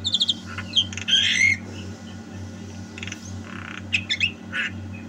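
Javan myna singing a jumble of harsh squawks, chattering notes and short high whistles in quick bursts, over a steady low electrical hum.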